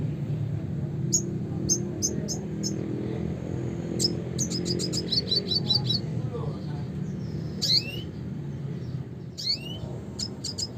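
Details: Classic red siskin song with spaced high chirps building into a quick twittering run, then sharp downward-slurred notes, over constant low hum.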